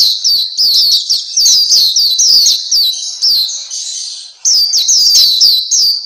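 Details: Pleci Papua, the black-capped white-eye, as training material for kept birds: a fast string of high, sharp chirps in dense rhythm, then a brief softer hissy stretch before the chirping resumes.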